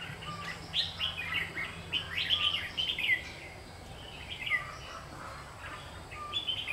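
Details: Red-whiskered bulbul singing as a trapping decoy to provoke fighting, recorded 27 August 2019; lively chattering warbles of rising and falling whistled notes in clustered phrases, with a low background drone.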